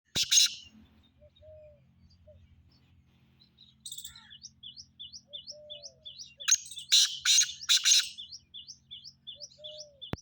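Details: Black francolin in Sindh, Pakistan, giving loud, harsh, broadband notes: one burst at the start, then a run of three or four raspy notes midway. Thin chirps from other small birds repeat rapidly throughout, with soft low whistles in between.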